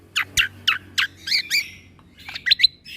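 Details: Tutor recording for young white-rumped shamas of a greater green leafbird in tembakan style: five evenly spaced, downslurred high chirps, then a short buzzy trill and a pair of sharp squeaks.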